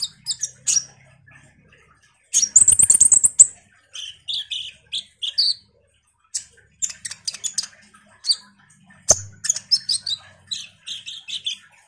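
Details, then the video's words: Common iora in full chattering voice, used to lure ninja sunbirds. High chips, a fast burst of piping notes, then varied whistled phrases and scratchy twitters. "Semua burung KOLIBRI NINJA PASTI MERESPON suara PANCINGAN KONIN GACOR NGOBRA ini"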